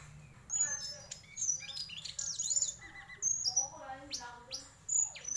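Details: Varied song of a white-throated flycatcher, made of high sharp whistled notes and short twittering phrases in separate bursts, with lower warbled notes between them and a soft background hum.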